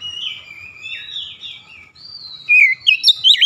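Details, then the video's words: Oriental magpie-robin in 'shooting' repertoire song: long, soft, wavering whistles, then a sudden loud sequence of sharp, twisting notes at the end. "KACER NEMBAK NEMBAK BONGKAR ISIAN"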